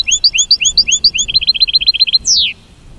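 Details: American goldfinch singing as a mating call: a few swinging upslurred notes, then a quick burst of clipped chips, closing with a sharp downward-sliding note; no other sounds.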